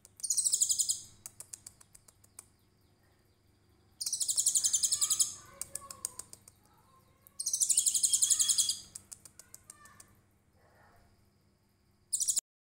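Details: Trotol konin in cililin shooting style, used to tutor songbirds: four loud, very high trilled bursts of one to two seconds, with softer lower chirps and ticking notes between them.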